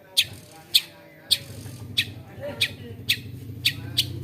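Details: A mimicking long-tailed shrike repeats a single sharp, high chipping note roughly every half second, eight times, over a faint low hum.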